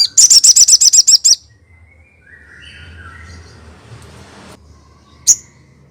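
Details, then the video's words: Crested jay, known locally as sogon, in a song used as a training lure that other sogon answer: a fast rattle of about ten sharp, high, metallic notes in just over a second, then a quiet pause and one lone sharp note. ""JK" Burung Sogon Manapun Pasti Langsung Respon"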